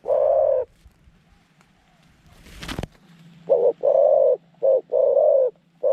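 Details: Zebra dove kept as a decoy in a trap to attract wild doves, giving a long coo, then after a loud rustling burst, a run of four coos alternating short and long, steady and mid-pitched.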